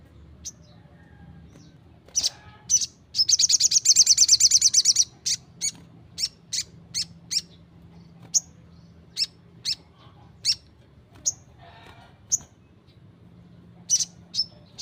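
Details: Crimson Sunbird singing 'gacor' style: a burst of very high, fast trilled notes, followed by a long series of sharp, evenly spaced single chips, about one every half second.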